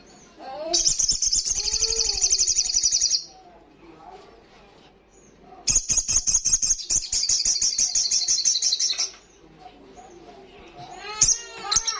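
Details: Loud ngalas song of an olive-backed sunbird (sogok ontong): two long, very high, rapid buzzing trills of about two and three seconds, with soft warbled notes between them and a burst of twittering at the end.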